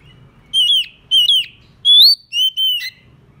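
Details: Oriental magpie-robin (murai kampung) song used as a decoy to draw rival birds in. A short phrase of five strong whistles: two falling slurs, a long rising note, then two level whistles ending lower. Faint background hum.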